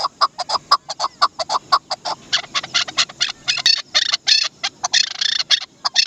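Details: A Chukar partridge (Dasi chakor) starts with regular clucking chuk notes, which then break into louder, harsher, grating chukar phrases packed closely together.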